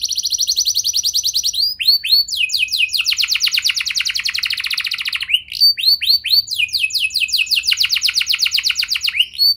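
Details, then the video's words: Canary song meant to prompt other canaries to sing: long rapid rattling trills, broken by rising upslurred chips, then more extended fast trilled phrases, continuous and loud throughout. "Pancingan Burung Kenari Biar Gacor Lagi!"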